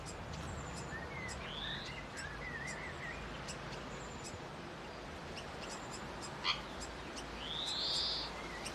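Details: A grey fantail gives thin squeaky twitters and wavering notes, then a strong upward-sweeping whistle near the end, against a low background rumble and scattered clicks.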